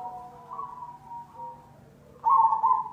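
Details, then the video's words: Cemani zebra dove lure recording: soft, wavering cooing notes in the first two seconds, then a loud, rapidly trilled coo phrase near the end over a faint low hum. "Pancingan perkutut cemani"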